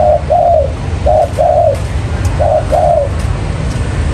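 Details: Trapping lure spotted dove cooing in three short-long phrases, each second note drawn out and softly falling, then silence apart from a low steady hum.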